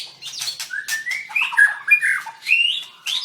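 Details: {'caption': 'White-rumped shama in a bird singing contest, recorded 7/25/16, dancing while singing: rich varied song of clear whistled slurs, rising and falling notes mixed with short sharp chirps, phrases flowing rapidly with brief pauses.'}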